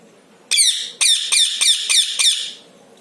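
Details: Pet parrot calling indoors with a rapid run of six harsh, raspy squawks over about two seconds, the first longest, the rest short and evenly spaced, high-pitched and harmonic-rich.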